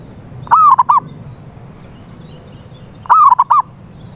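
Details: Zebra dove call used as a lure to get a silent dove singing: two cooing phrases about 2.6 seconds apart, each a slurred opening note followed by three quick, clipped, mellow notes, over quiet low background hum.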